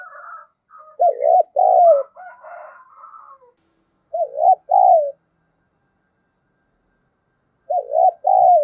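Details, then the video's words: Spotted dove in the 'giọng thổ' voice, played as a lure to make other doves call: three two-part coos spaced about three seconds apart, each rough and low, with soft chattering chirps under the first. "Tiếng chim cu gáy thúc bổi hiệu quả nhất - Chim Cu Mồi"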